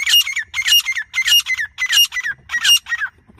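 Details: Grey francolin in non-stop calling, a loud grating squawk of several quick harsh notes per phrase, phrases coming roughly every 0.6 seconds, about five in a row before stopping.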